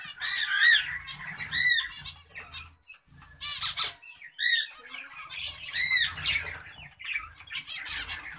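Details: Zebra finches in a breeding setup give short, nasal, toy-trumpet calls in quick bursts, with wing flutters between.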